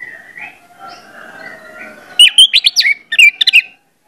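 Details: Orange-headed thrush trigger song: soft, wavering whistles first, then a loud burst of rapid, clear, high whistled notes in two short runs, some slurring down, before falling silent.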